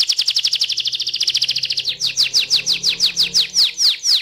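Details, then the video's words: Rolling canary song: a very fast high trill for nearly two seconds, then slower, wider down-slurred notes repeated about twice per second. "KENARI GACOR NGEROLL"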